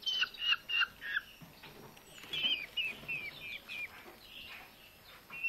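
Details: Two rescued, starving Eurasian hobby nestlings in a Hungarian bird rescue centre during feeding, found on a road on an August evening after heat and drought. They give shrill, squealing notes in quick bursts, about three per second, with wing flutters and handling noise.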